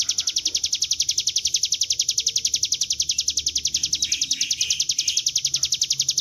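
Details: Bar-winged prinia singing in the continuous drilling ngebren style, used as a lure recording to draw wild birds into song; a fast, even string of high, sharp notes, about three or four per second, running throughout with faint background noise.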